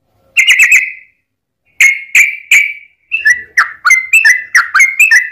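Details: A yellow-vented bulbul sings its long fighting song to provoke other bulbuls: a quick bubbling burst, three ringing whistled notes, then a lively run of chirpy, up-and-down notes.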